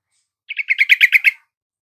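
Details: Yellow-vented bulbul song meant to lure a reluctant caged bird into singing. One brief, bubbling phrase of about eight gurgling notes delivered rapidly, the middle notes loudest, with no other sounds around it.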